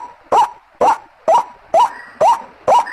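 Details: Six spaced, harsh upslurred calls of a White-breasted waterhen used as a lure, about two per second, with a faint thin whistle in the background toward the end.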